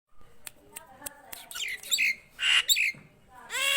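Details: Nias hill myna singing actively: a run of sharp clicks, then harsh squawks, scratchy rising notes and loud broadband bursts, ending with a rough upswept call.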